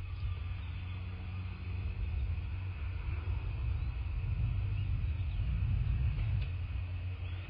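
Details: A low, continuous rumble like wind or distant traffic is heard at a bald eagle nest, with no bird calls.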